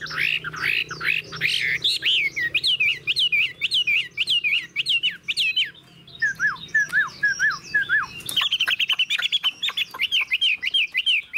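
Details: Tamed caged Chinese hwamei with a fanned tail and eagle-wing display. It repeats a looping, falling whistled phrase many times in fast succession. A lower, softer series of slurred notes follows, then a loud burst and more rapid repeated whistles.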